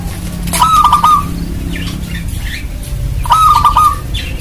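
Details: Lure recording of a local zebra dove in full voice to make other zebra doves sing: two bubbling, stuttering coo phrases about three seconds apart, against a low steady rumble.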